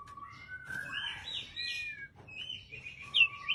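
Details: White-rumped shama kept in an aviary, giving long, smooth whistled notes that rise and fall, some held steady and one sharp high upslur, over a faint low hum.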